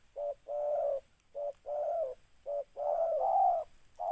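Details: Spotted dove used as a lure for trapping; a repeated coo in a short-long pattern, a brief note followed by a longer, throaty coo, three times in four seconds, recorded cleanly.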